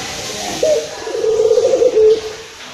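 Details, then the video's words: One agitated local Barbary dove coo, meant to provoke other doves: a short accented note followed by a wavering, purring trill that swells and fades over roughly 1.5 seconds against a quiet hiss. "PUTER LOKAL Emosi...!!! silahkan di putar untuk pancingan burung puter anda."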